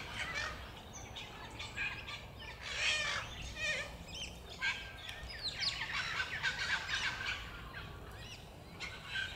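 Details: Musk lorikeets at Banyule Flats Reserve, Melbourne, Victoria, Australia, 26 September 2021, give a constant chatter of shrill, rasping screeches, several birds overlapping in quick bursts without pause, with a low outdoor rumble beneath.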